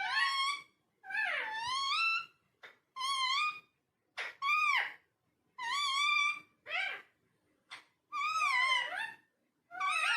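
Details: Parrot talking indoors in a rapid sequence of harmonic, wavering syllables, some long and modulated, some short clipped bursts, with irregular spacing and faint hum.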